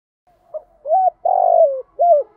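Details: One complete phrase from a spotted dove singing in "thổ" voice as a decoy: a faint pip, a level coo, a long vibrating note sliding downward, then a closing coo, in a quiet setting.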